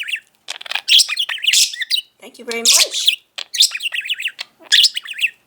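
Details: Male pet budgie, five years old, chattering indoors in fast buzzy syllable runs and chirps, broken by one lower, harmonic warbled phrase in the middle.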